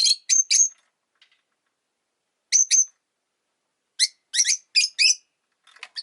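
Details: Rosy-faced lovebird (Agapornis roseicollis) giving sharp, shrill, high chirps in short bursts of two to four, with brief pauses between groups.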